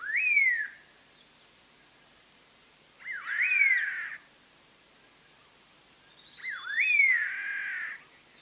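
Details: {'caption': 'Collared laughingthrush singing, a recording meant for trapping. Three loud phrases come roughly every three seconds. Each starts with a quick upward whistle, peaks, then drops into a fuller, buzzy, harmonic trailing note. The background is quiet.'}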